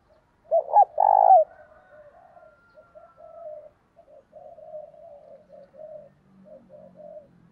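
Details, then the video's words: Decoy spotted dove calling to lure wild doves: two short rising coos, then a loud, drawn-out coo. A softer run of low, steady coos follows for several seconds, and a thin whistle-like tone is faintly heard early on. "Chim Cu Mồi Thúc Bổi+chiêu và gáy gọi kích bổi"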